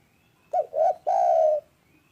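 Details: Spotted dove calling actively with a loud, clear, calm voice: a short soft note, a rounded mellow coo, then a long, steady, slightly falling coo held about half a second in a quiet setting.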